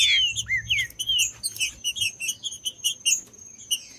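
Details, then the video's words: Green-winged saltator song played to warm up and stimulate other saltators, a recording favoured by breeders who enter saltator tournaments; quick series of clear, slurred whistled notes, some falling, with higher thin chirps and a steady faint high tone behind. "TRINCA FERRO CANTANDO"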